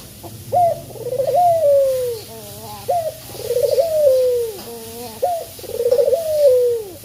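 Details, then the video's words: Male spotted dove giving its lure call to make other doves sing: three evenly spaced phrases, each opening with a sharp note, trilling, then sliding into a long downward coo, with quieter notes in the gaps. "Puter Jantan Yang Gacor Suara Pancingan nya Sanggat Menggoda"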